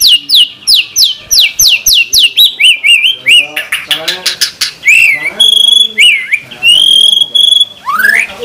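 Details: White-rumped shama singing in a masteran track meant to make shamas sing: a run of sharp descending slurred notes, then varied warbles, clicks and long steady whistles at differing pitches.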